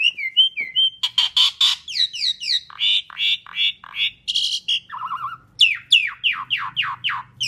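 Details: Asian pied starling song played as a lure for other birds, a long full medley: short whistled notes, harsh chattering bursts, a low buzzy phrase, then a string of repeated downslurred whistles.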